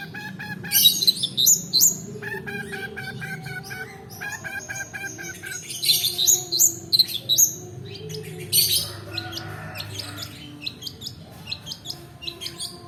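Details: Rolling song of a long-tailed shrike as a lure for lazy singers and a training model: buzzy stacked notes and sharp high chirps in bursts, trailing into softer scratchy chatter.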